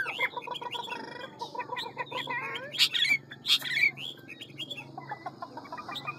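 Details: Ngũ trường Hwamei with a forest voice, singing fast and many-voiced. A dense, busy mix of chattering notes, repeated pulses and sharp whistled accents sits over a steady low hum.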